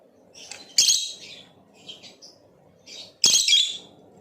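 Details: A Blue Opaline lovebird gives two loud, scratchy high chirps about two and a half seconds apart, with softer short twitters between them and a low steady background hum.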